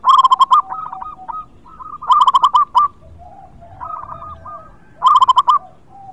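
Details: Local perkutut, the zebra dove, in lively song used to prompt quiet birds: three loud bursts of quick rolling coos separated by softer murmured phrases, with a low sliding note between them.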